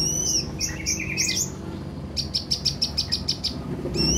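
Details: Brown-throated sunbird recording played to coax newly bought birds into singing: thin high whistled chirps, a downslurred phrase, then a rapid even series of about eight sharp ticking notes, over a low steady hum.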